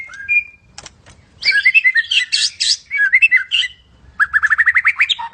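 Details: White-rumped shama, Medan type, sings a long whistle, then a busy jumble of squeaky, buzzy notes, ending with a fast series of about a dozen rising ticks.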